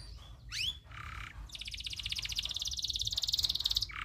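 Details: Local canary, loper type, tutor song with long rolling trills: a rising whistled sweep, a buzzy burst, then a long fast rapid-pulsed trill lasting over two seconds.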